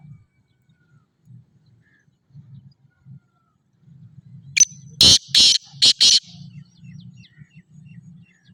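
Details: Black francolin of the Sindhi type calling after a stretch of low rumbling background: one thin sharp note, then four rasping, broad-toned bursts, the second and fourth slightly longer, spaced roughly a third of a second apart.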